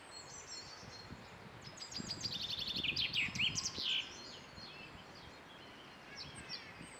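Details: Common chaffinch (Fringilla coelebs) singing: a brief run of high, rapid descending notes that accelerates into a tumbling trill and ends in a flourish, over steady background noise, with a few faint high chirps afterward.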